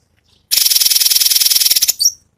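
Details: Cucak cungkok in the besetan style, used as a master for training songbirds: one dense, very high, buzzy rattling trill lasting about one and a half seconds, closed by a short squeaky flourish.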